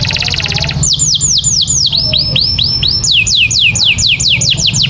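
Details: Canary singing for training: a buzzy rattle opens, followed by long runs of quick descending whistled sweeps, several per second, bright and high, over a low steady hum.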